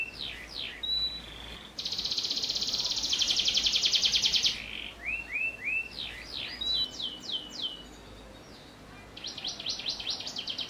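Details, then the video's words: Canary with prenjak-style phrases, used as a tutor song for young canaries: quick slurred notes, a long loud buzzy roll, rising whistled notes, a pause, then a fast bright trill. "KENARI GACOR ISIAN PRENJAK cocok buat Masteran Kenari Paud"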